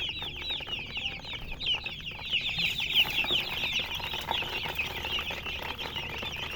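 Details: A dense chorus of baby chicks, high thin peeps tumbling over each other almost continuously, about three per second, with some wing flutter.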